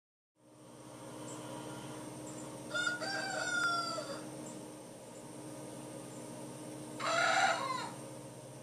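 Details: Young Dark Brahma rooster still learning to crow, with an adult Plymouth Rock rooster crowing off camera on a farm; one drawn-out, falling, harmonic crow about a second long, then a shorter rough crow burst, over a steady low hum.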